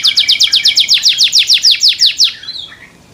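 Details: Kept canary singing to encourage other canaries to sing: about fifteen loud downward-sweeping whistled notes at a steady fast pace, trailing off into quiet twitters.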